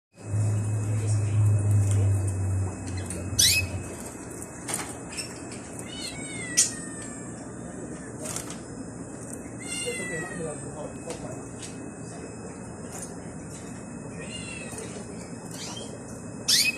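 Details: Budgerigars, possibly at a bird market, chatter in quick, squeaky chirps and warbled notes, with a low hum at the start.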